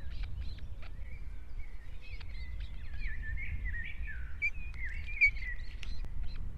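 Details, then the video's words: Osprey at a nest in Estonia, 2018: a run of short whistled chirps rising and falling in quick succession, with scattered songbird notes and steady low background rumble. "Гнездо скоп в Эстонии"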